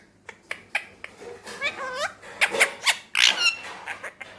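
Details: Male Indian ringneck kept as a talking pet in Pakistan, producing short clicks that build into wavering, speech-like babble and sharp bright bursts.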